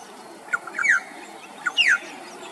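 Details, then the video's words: Male Australasian figbird singing loudly in the afternoon, Queensland, Australia: two phrases, each a short lower note followed by a bright descending whistle, roughly a second apart. "Australian Figbird Singing Enjoying a Beautiful Afternoon Siesta"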